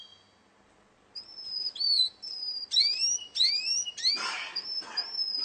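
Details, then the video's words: A Russian canary sings in a contest: after a quiet start come repeated rising whistled sweeps, with a harsher noisy burst in the middle. "kontes kenari rusia suara unik dan keren"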